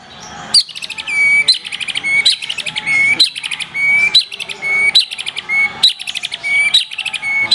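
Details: Black-tailed white-rumped shama singing a repeated phrase about once a second: a sharp high note, a rapid buzzy trill, then a clear downslurred whistle, with the pattern cycling steadily throughout.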